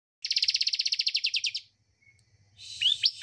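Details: Bar-winged prinia song used as a lure to get a reluctant caged bird singing: a fast run of about fifteen bright, evenly spaced chipping notes over roughly one and a half seconds, then softer chirps and a rising whistled note, with a faint low hum.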